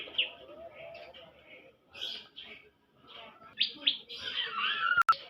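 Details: Young bar-winged prinia giving scattered high chirps and short buzzy phrases in irregular bursts, with a sharp click near the end.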